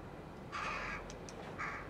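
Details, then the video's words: A rook colony with chicks in July 2021; two grating caws, the first longer and the second brief, rise out of a constant low hum. "The rookes and their chicks"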